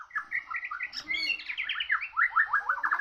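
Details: Murai bird in a singing contest with a Borneo bird, pouring out fast chattering phrases of short slurred whistles that build into a dense run of repeated rising notes.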